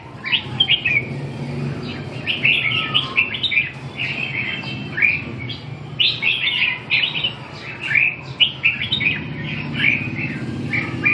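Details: Red-whiskered bulbul delivering a busy run of quick, bright warbled phrases. Rising and falling chirps come in rapid clusters, with short pauses between bursts, over a constant low background hum.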